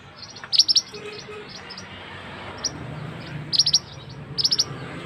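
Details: Male scarlet-headed flowerpecker calling, used to lure birds into traps: scattered clusters of three or four sharp high ticks over a steady background hiss.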